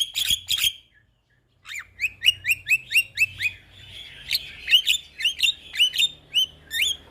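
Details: Javan myna song meant as a tutor recording for young birds: two harsh bursts, a pause, then a long series of sharp rising whistled chips repeated about three times a second with buzzy overtones.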